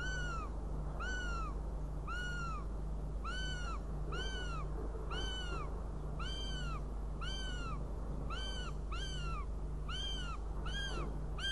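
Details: Northern goshawk, Riga, 29 June 2016: a long series of clear, slurred wails, each rising then dropping, repeated about once per second, roughly a dozen in all, above a constant low hum.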